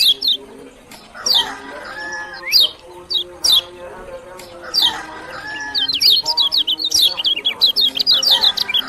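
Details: Lombok lemon-bellied white-eye gives spaced, loud, high descending chirps, then breaks into a fast stuttering series of short twittering notes near the end, over lower harmonic background tones.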